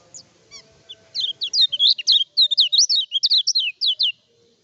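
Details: Kecial kuning (Lemon-bellied White-eye) in full, vigorous song, used as a lure to provoke rival birds and as a tutor recording: a few soft opening chirps, then a rapid chain of high, sweeping, twisting whistled notes.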